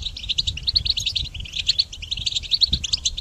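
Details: A goldfinch sings to train other songbirds, a dense run of quick tinkling notes and liquid twitters that flows without a break for over three seconds.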